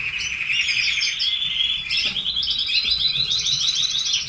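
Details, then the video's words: Pet red canaries sing: warbled high notes give way to a fast, evenly pulsed rolling trill that climbs gradually in pitch to the end. "Canary sings"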